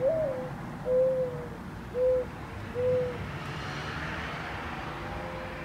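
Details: Backyard Mourning Dove watched at close range while calling, neck swelling: the end of a rising opening coo, then three soft, low, level hooting notes about a second apart, followed by faint ambient hiss and distant rumble.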